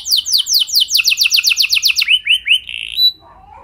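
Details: Canary song, used as a lure to get other canaries singing: a quick series of downward-slurred notes about four per second, then a few rising whistles and a short buzzy note.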